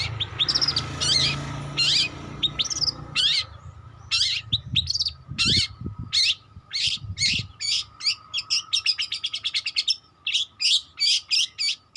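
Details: Young long-tailed shrike learning to sing, producing varied scratchy whistles and chatters, later settling into a fast run of evenly spaced sharp notes that slows toward the end, with low rumbling noise early on.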